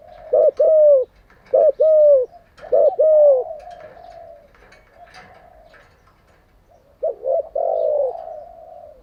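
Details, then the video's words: Spotted dove decoy for training caged doves: three loud two-part coo phrases in quick succession, a stretch of soft murmured cooing, then the loud phrase returning near the end. "Tiếng chim cu gáy mới nhất, dùng luyện chim gáy bổi và mồi hàng ngày"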